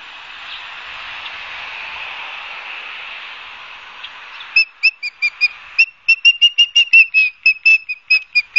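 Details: At a Barnegat Light, New Jersey osprey nest in September 2022, a broad hiss of wind or static gives way after four seconds to sharp, high whistled yelps repeated in a quick, uneven string.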